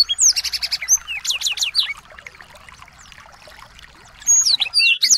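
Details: Small-bird song, a training track to get a white-rumped shama to sing; a fast run of rapid, evenly pulsed high trilled notes opens, then softer twittering, then loud slurred whistles return near the end.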